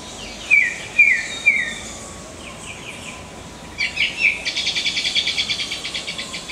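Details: Black-cheeked gnateater calling: three sharp, high, downslurred chirps about half a second apart, followed by a rapid buzzy insect-like pulsing trill in the background.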